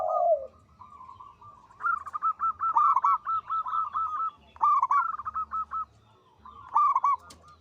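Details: Zebra dove, local type, singing strongly: a brief low purr opens, followed by several bouts of rapid staccato notes repeated in even runs with short pauses between them.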